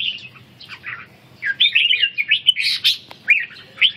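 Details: Caged red-whiskered bulbul in ché song training: a few scattered notes, then from mid-clip a dense, lively stream of chirpy, twisting whistles ending in a clear upslurred note.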